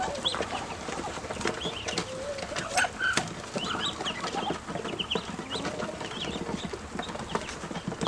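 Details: Young ducklings, now grown larger and noisier when hungry, give scattered thin high peeps, some rising then falling, mixed with faint clatter and low background hum.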